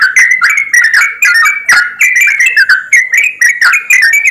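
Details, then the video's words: Busy chorus of several yellow-vented bulbuls, meant as a lure to get birds singing. Gurgling whistled phrases run together in quick bursts, with slightly fuller slurred notes between the chatter. "TRUCUKAN ombyokan,TRUCUKAN ROPELAN untuk bahan cepat bunyi"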